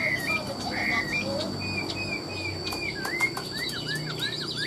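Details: Caged Chinese hwamei sold as a fine singer with ornamented phrasing: drawn-out level whistles followed by looping, wavering slurred notes, against steady background hiss.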